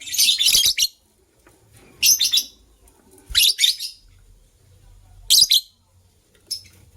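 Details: White lovebird couple chirping in the morning: a long rasping burst of shrill chirps opens, then four shorter scratchy bursts follow at irregular intervals of about one to one and a half seconds, with soft low background noise between.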